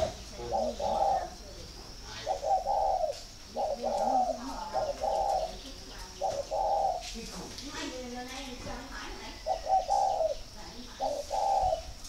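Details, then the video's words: Spotted dove kept at a bird-breeding garden in Ba Vì, Vietnam, calling in a way taken as a sign of readiness to pair: a run of short, hollow, mid-pitched coo phrases, about eight bursts in quick succession with brief gaps. "Dấu hiệu để ghép chim cu gáy"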